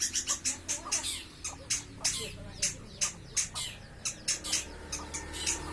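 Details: Long-tailed shrike (cendet) kept in a cage and sung out while sunning, recorded about a month before 30 October 2020: dense, harsh, high chattering notes repeated rapidly and continuously over a low background hum.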